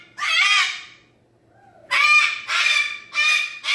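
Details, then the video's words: Indoor pet cockatoo reacting to its owner leaving the room with a run of four loud, grating screams, the first followed by a pause, then three in quick succession. "Silly Cockatoo, when Mommy leaves the room"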